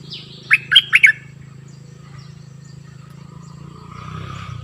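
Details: Decoy cream-vented bulbul, a new bird for luring wild ones, gives one brief burst of four or five quick warbled notes over a steady low mechanical hum and faint background noise.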